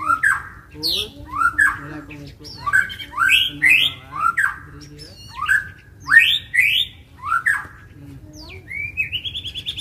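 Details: White-rumped shama, provoked to fight and sing without pause: loud slurred whistled phrases, each falling then rising, repeated about every second, ending in a long rising whistle.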